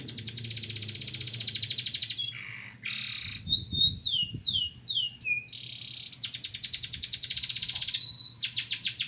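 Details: Local canary in training song, a loud continuous high trilled song with fast buzzy rolls, pauses, then a run of descending whistled sweeps and more rapid trills, a low hum underneath.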